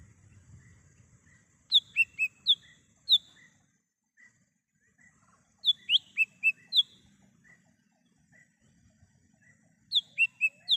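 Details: Wild lesser green leafbird song used as a lure and call for trapping: three phrases of four to five quick ringing whistles, repeated roughly every four seconds, with scattered softer notes between and a faint low rumble.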